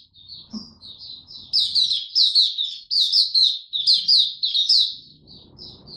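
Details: Developing song of a young caged white-eye, recorded 9 February 2022: a few soft high notes build into about three seconds of rapid, bright, scratchy twittering, then fade into low room murmur.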